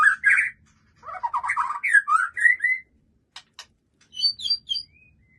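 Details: A white-rumped shama kept for breeding sings a rich 'isian' song. Chattering, tumbling warbles rise into higher whistles, with two sharp clicks, then a brief high trill ends on a thin whistle. A soft low hum sits in the background.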